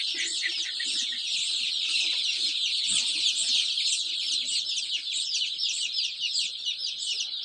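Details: About 500 chicks keep up a loud, ceaseless chorus of shrill, rapid peeps that blend into one high shimmering din, with a brief low thump near the middle.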